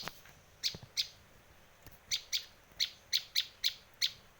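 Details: A Bar-winged prinia lure and tutor recording from Indonesia: a couple of isolated piercing chips, a pause, then a steadier run of single high chips about every third of a second, over a soft background hiss.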